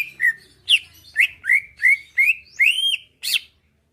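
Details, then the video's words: Greater green leafbird kept in a cage, singing to provoke a reply and fighting: eight clear whistled notes, each swelling and slurring, delivered about three per second, with faint low hum beneath. "Cucak ijo lain liat dan dengar kicauannya bakal nyaut+gacor+tarung"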